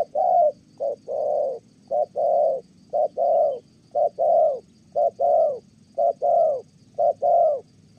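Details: Thổ-style cooing from a spotted dove used for trapping in Kon Tum, Vietnam: steady paired hoots, a clipped note then a fuller rounded one, repeated nearly every second.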